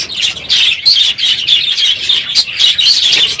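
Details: Aviary full of budgerigars on a morning at the close of the breeding season, calling loudly; rapid high chirps and twittering pulse in quick bursts over a busy chattering background.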